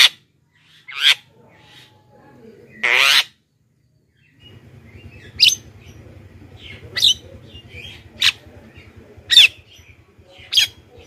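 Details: Javan myna lure call for attracting wild mynas: short harsh, rasping squawks at irregular intervals, some louder and longer, over a low steady hum.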